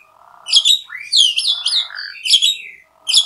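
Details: Asian pied starling giving a rapid run of chattering notes, squeaky rising chirps over a low rasping buzz, in fast overlapping bursts.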